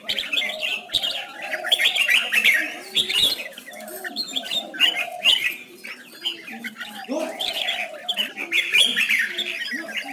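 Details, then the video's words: Lure-bird song of a red-whiskered bulbul for training birds to sing: dense, busy warbling with repeated bright bursts and a few lower, cooing-like notes mixed in. "Chào mào hót múa đỉnh"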